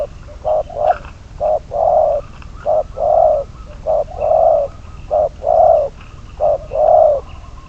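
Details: Trapping decoy spotted dove, bird number 22, coos steadily in short-long pairs, a clipped hoot followed by a fuller drawn-out coo, about five pairs over several seconds, over a soft rural background.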